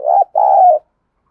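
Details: Decoy spotted dove, kept to lure wild doves into cooing: one short rough coo then a longer, steady, husky coo that fades out, low and mellow.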